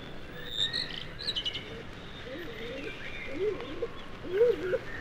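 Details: A shy stock dove in British woodland gives its musical, not loud song of low, soft, rising-and-falling cooing phrases, repeated about every second, with thin high chirps of other woodland birds behind.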